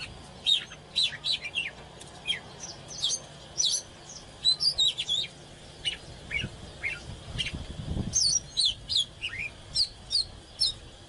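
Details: Agitated oriental magpie-robin pouring out a long, varied series of short whistles and sharp chirps, irregularly spaced, with a brief low rumble near the middle.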